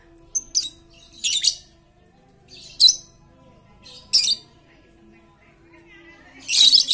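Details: Chattering lovebird lure for quiet lovebirds: short raspy, high bursts scattered irregularly, ending in a louder rolling chatter, with a steady low hum behind.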